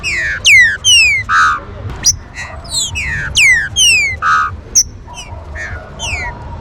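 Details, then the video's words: Fast warm-up song of the green-winged saltator, known as trinca-ferro: rich whistled downslurs, short buzzy bursts and abrupt rising flicks packed densely, roughly two notes a second, over steady low-frequency hum. "CHUVA ESTE CANTO VAI ESQUENTAR SEU TRINCA-FERRO"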